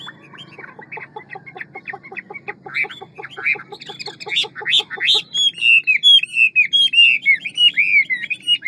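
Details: Large, handsome Hwamei in 'ngũ trường' song, quick-billed with forest and many voices: it opens with a fast, even series of short clipped notes, rising in loudness, then breaks into rich looping whistled phrases.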